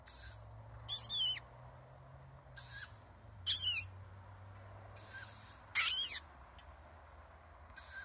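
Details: Hungry young tawny owl begging for food, giving rasping high-pitched screeches roughly every one to two seconds, some strong and some weaker, over a steady low hum and faint background noise.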